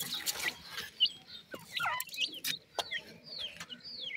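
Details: Grey francolin chicks giving thin, high chirps, each a short curved note rising or falling, spaced irregularly about every half second, over faint background rustling and sharp clicks.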